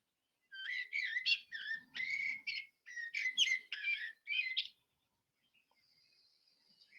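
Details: A Common Blackbird, a garden bird that often sings earliest and latest in the day, sings a string of rich, fluted warbling phrases with brief pauses between them, then fades out to a faint high hiss.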